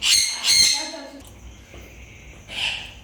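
Macaw giving three harsh, raspy squawks: two close together, then one more about two seconds later. A softer, lower tonal note sits between them.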